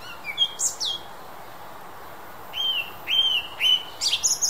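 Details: Western European song thrush delivering bright high notes, a short pause, then a flat whistled phrase repeated three times, ending in sharp high chips. The background is otherwise quiet.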